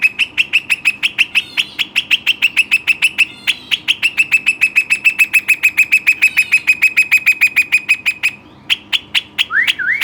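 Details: Pet Western rock nuthatch, an energetic mountain bird, pouring out a rapid series of sharp, bright notes at a steady pace, ending with several spaced chips and a rising whistled note.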